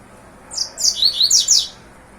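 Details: A captive male Double-collared Seedeater kept at home and being trained for song tournaments gives a quick burst of high, sweet, slurred notes. The notes rise and fall over about a second against a quiet background. The owner says it sings well but loses interest late on.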